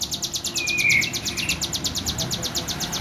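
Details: Hill prinia, tame, singing vigorously: an unbroken string of quick, high, evenly spaced descending notes with one brief slurred whistle, over steady background noise.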